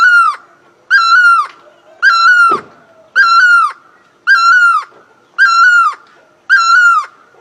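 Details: Great barbet singing close and loud: seven ringing, nasal notes with a brief rising start and a drawn-out falling tail, repeated a little faster than once per second, with a faint continuous hum between notes.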